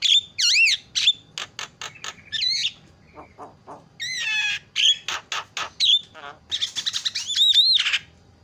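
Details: Starling singing as a lure for reluctant birds: wavering looped whistles, bursts of rapid clicks, a soft low note sequence, then rough buzzy phrases and a rising, wavering whistle.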